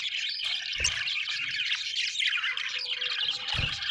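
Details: Short burst of budgie chatter: buzzy, warbled chirping with rising and falling squeaks, two dull low knocks near the start and end.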